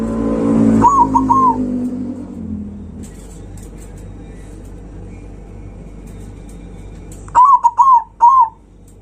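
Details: Zebra dove loud song, meant to rouse rival birds: two short bursts of quick, rolling coos, one near the start and a louder one near the end, separated by a long quiet stretch with low background rumble.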